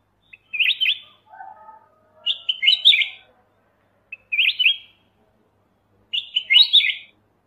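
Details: Black-crested bulbul singing: four short bursts of bright, quick warbled notes repeated about every two seconds, with a softer lower chattering phrase after the first burst.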